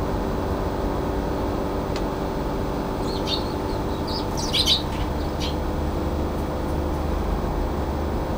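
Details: Shrill, clipped cries from a brown-eared bulbul barred from the balcony feeder, 9 February 2022, a cluster of sharp high notes midway, over constant low traffic hum.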